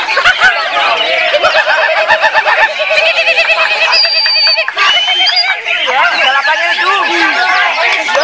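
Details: A captive Greater green leafbird competing at a songbird contest in Kebumen at the end of 2019, where it placed second in the main class, pours out a loud, nonstop medley of rapid chattering trills and bright whistles, with other songbirds singing over it.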